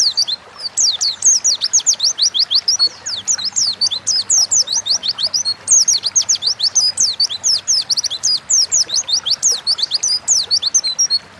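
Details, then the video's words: Oriental white-eye, a caged songbird in Indonesia, singing a long continuous chatter of high, rapid, downslurred whistled notes, many per second, lasting the whole eleven seconds. "Burung pleci gacor ngalas pancingan bahan agar cepat bunyi"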